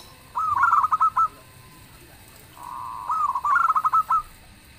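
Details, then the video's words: Zebra dove, a local bird, singing loudly in a way said to make other birds answer: two phrases, each a low soft purr followed by a rapid series of clear cooing notes in a stuttering rhythm, with quiet background between. "suara perkutut lokal gacor_dentuman suaranya bikin yg lain nyaut"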